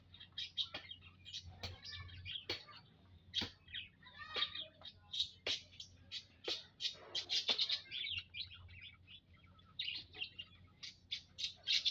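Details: Many munias kept together in an aviary, 19 April 2025: a long, steady stream of quick high chirps and squeaky twitters from several birds, punctuated by frequent sharp taps.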